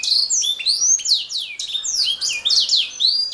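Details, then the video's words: Canary song: loud sweeping whistled notes sliding downward, overlapping in quick succession with a faint low background hum. "Kicau Burung Kenari"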